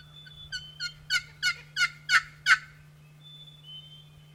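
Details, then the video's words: Wild turkey gobbling on an early April morning during a spring hunt: one rapid rattling gobble of about seven loud, rough pulses over two seconds, building in strength, then quiet with a steady low hum. "I know a few sounds that elicit more excitement than the early morning gobble of a wild turkey."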